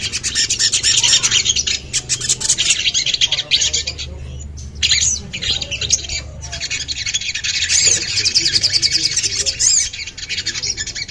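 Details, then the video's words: Sogon, the common iora, singing for a therapy recording: busy bursts of high chirping and twitters, a short pause just before five seconds, then renewed rapid chattering to the end. "TERAPI SOGON LANGSUNG BUNYI !!"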